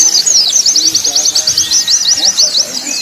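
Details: Song of a white-eye used to train birds for song contests: a rapid series of high, sharp, repeated chirping notes in quick succession, with faint lower sounds in the background.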